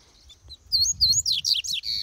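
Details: A Double-collared Seedeater (Sporophila caerulescens) sings a quick jumble of high, sweet twittering notes that slide up and down, a brisk burst after a quiet start. The weather is cold and the breeding season is beginning.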